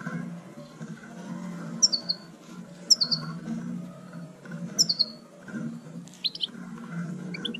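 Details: Female goldfinch 'batbata' call meant to encourage males to sing: thin, high notes sliding downward, repeated every second or so, then a brief burst of twittering against a steady low hum.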